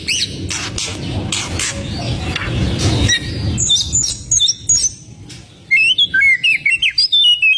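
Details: White-rumped shama lure song to make rival birds agitated: a rough, noisy opening, then scattered high chips and a closing burst of bright, rapidly repeated twisting whistles.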